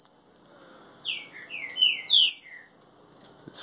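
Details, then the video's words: Young caged Green-winged saltator, trained for 30 days, delivering a clear whistled phrase of about six downslurred notes, the highest in the middle, ending on a lower note, with a faint knock after. "trinca ferro mansarrão 30 dias já está matando tudo"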